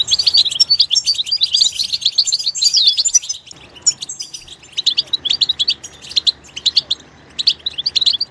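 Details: Goldfinch singing in its natural environment: rapid, high, liquid twittering with tinkling trills and short buzzy notes, a brief pause near the middle, then a renewed burst of quick chirps.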